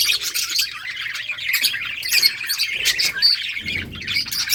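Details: Budgerigar colony in summer breeding season, birds playing, filling the air with dense overlapping chirps, squawks and warbling twitters, a continuous busy chatter with brief louder bursts throughout.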